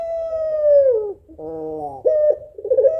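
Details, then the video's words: Puter pelung female, an African collared dove, calls a male with a plaintive voice. The end of a long coo slides downward, followed by a buzzy, harmonic-rich nasal phrase and a fresh coo with a stuttering, rolling start. "SUARA SEDIH BURUNG PUTER PELUNG BETINA MEMANGGIL JANTAN"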